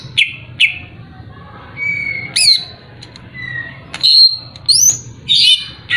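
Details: Greater green leafbird singing as a provocation to a rival: spaced bursts of loud, harsh notes alternate with clear, level whistles and quick rising sweeps, roughly one phrase every second, over faint low background noise.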